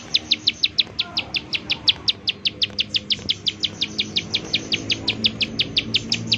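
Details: Rapid 'nembak' calling of a bar-winged prinia, a recording used to lure other prinias into singing; a long, even run of sharp, high, ticking notes, roughly four or five each second, with soft low rumble beneath.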